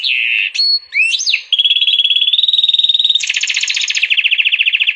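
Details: Canary and Portuguese European goldfinch hybrid singing vigorously: a varied, loud song opening with whistled slurs and quick rising sweeps, then a sustained even whistle, followed by rapid pulsing trills at high pitch; no other sounds.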